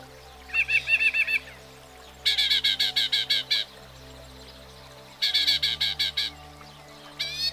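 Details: Northern Mockingbird, noted for learning up to 200 different sounds, singing a fast trilled phrase then two long series of rapid harsh repeated notes, separated by pauses; gentle background music throughout.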